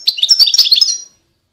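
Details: Short burst of European goldfinch song: about one second of quick, bright, jingling twitters.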